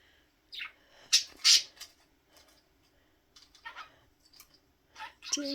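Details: Pet budgerigar grunting when frustrated, filmed indoors. It makes harsh, noisy, rasping bursts in irregular clusters, with softer chattering notes between them and a short whistled note at the end.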